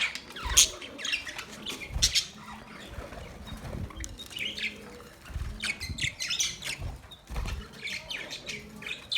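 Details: Budgerigar chirps scattered and softer, short high squeaks and scratchy notes arriving in loose clusters, mixed with low bumps and rustling throughout.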